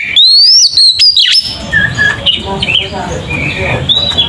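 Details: Oriental magpie-robin song in the ngeplong style, played as a lure to make magpie-robins agitated. A brief burst of bright, sliding whistles opens, then fades into a murmur of faint, scattered chirps over steady hiss.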